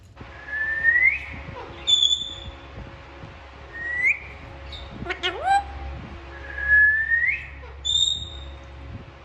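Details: Alexandrine parakeets talking and playing: clear rising whistles repeat several times, with a few high thin notes and a brief harsh downward call in the middle over a low steady hum.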